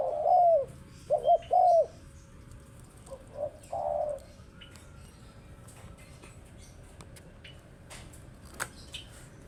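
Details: A spotted dove coos several times in the first four seconds, some notes long and arched, some short, then stops, leaving quiet background with faint clicks.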